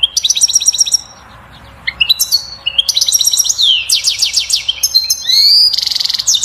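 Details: Goldfinch singing to excite the female into mating and nest building: repeated fast twittering phrases with buzzy downward sweeps, a rising whistle and a harsh rasping burst at the end.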